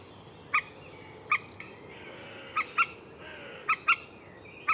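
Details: Common moorhen producing sharp, explosive notes, singly and in close pairs, at uneven intervals of about a second.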